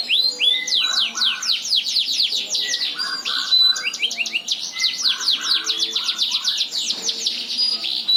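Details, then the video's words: F1 Yorkshire canary, a stud bird from a breeding farm, singing a long, loud and clear song: fast runs of rising sweeping whistles and rattling trills, with lower buzzy bursts and short held notes, continuing without pause. "Kicau burung Kenari F1 Yorkshire NGOTOT Gacor Panjang"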